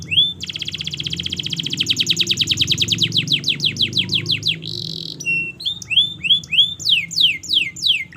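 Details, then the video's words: Canary master song for birds learning to sing: a long, fast rolling trill that gradually slows, a short steady whistle, then upslurred and down-slurred notes in quick succession. "Masteran Kenari Gacor Panjang‼️Cocok Untuk Pancingan Kenari Belajar Bunyi dan Macet Bunyi"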